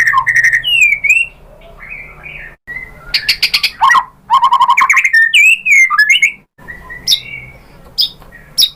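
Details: Varied song of a white-rumped shama meant to stir other birds to sing, with clear whistled phrases, harsh buzzy bursts and quick trills, broken by brief pauses between bouts.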